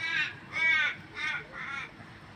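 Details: Crow calling while being fed by hand in Australia: four drawn-out, harmonic caws, each about a third of a second long, spaced roughly every half second and fading slightly toward the end; no other clear sounds.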